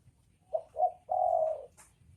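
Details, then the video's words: Spotted dove, male and female, giving a single coo phrase: two brief rounded notes, then a sustained level coo that fades out. "Suara Burung dekukur jantan dan betina"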